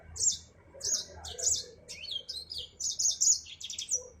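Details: Clear song of a Yellow-fronted canary, the African Mozambique finch: rapid runs of high, bright chirps and short buzzy trills, some notes sweeping downward, in close-spaced bursts with little background noise.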